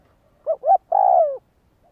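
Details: Spotted dove kept for training decoy birds, giving one three-part coo: two short rising notes followed by a longer, slightly descending hoot, clean and quiet around it.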